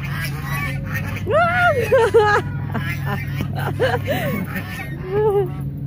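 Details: Hungry geese at Mueller Lake park in Austin, Texas, closing in on people; loud nasal honks arching up and down, several in quick succession, then a final honk, mixed with a woman's voice and a low steady hum.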